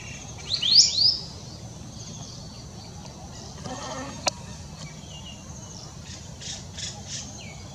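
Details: Grey parrot (African grey), recorded 2020-12-23, giving a quick burst of clear, rising whistles, followed later by a few soft high chirps over a low background hum.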